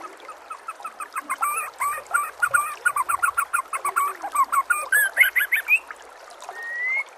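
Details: White-rumped shama song used as a training recording for other shamas, with nature sounds and trickling water: rapid repeated notes, varied whistled phrases, ending in a rising whistle.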